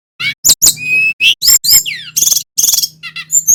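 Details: Lure song of a male brown-chested jungle flycatcher from Bali, meant to make silent or stressed birds sing. Dense run of high chips, short whistles and buzzy bursts, with a steady low hum underneath.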